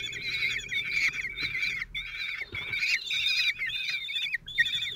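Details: Common kestrel nest, Théding, France, 26 June 2023, during a feeding of four chicks aged 16 days by the single father. Drawn-out, shrill, bending calls repeat in runs of about a second, separated by brief pauses.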